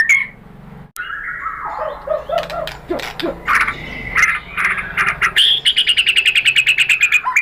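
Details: A murai batu, or white-rumped shama, lure song intended to stir an answering bird: uneven whistles and low mellow notes, then a quick, evenly pulsed trill of short notes closing the phrase.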